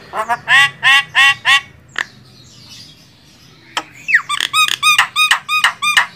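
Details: Jalak kebo, the Javan myna, in a training master for songbirds: a run of nasal, harmonic honking squawks, a quiet gap, then a burst of rapid mixed squawks and a short downslurred whistle.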